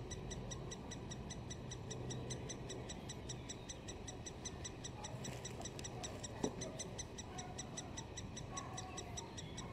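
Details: Young great spotted woodpeckers at Solleveld on 26 May 2018, chattering from the nest as a parent arrives with food. Crisp, evenly spaced high ticking notes continue throughout, with a single sharp click partway through.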